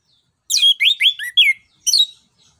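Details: Orange-headed thrush in full song for stimulating other birds: a quick run of five loud, sliding whistled notes, some falling, others rising, separated by short gaps.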